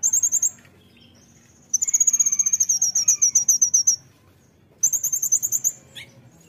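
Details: Brown-throated sunbird, a caged bird in full loud 'nembak' song used as tutoring material, giving very high, rapid, even staccato trills in three bursts, the longest about two seconds, with a brief sweeping note near the end.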